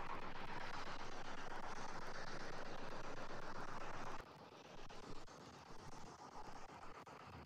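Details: A constant roar of wind or distant engine drones throughout, dropping suddenly in level partway through, with no animal voice heard.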